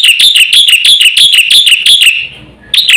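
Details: Fast full song of a black-winged myna, played as a lure to make silent birds sing: a quick run of loud, sharp whistled notes, about six a second, a short gap, then the run resumes.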